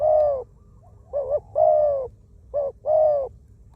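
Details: Wild spotted dove used as a ground decoy, described as small-voiced with many coos: a short wavering coo followed by a longer, steady low coo, the pair repeated three times, with quiet between phrases.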